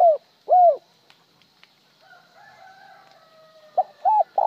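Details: Spotted dove calling, sometimes with one broken trailing note, sometimes plain. Clipped phrases with a falling long coo. A fainter drawn-out tonal sound from another animal fills the middle before a short note and a double note return.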